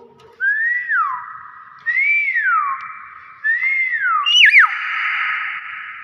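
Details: Common hill myna that greets guests with assalamualaikum, repeating a rising and falling whistle three times about every one and a half seconds, the last with a twisting flourish.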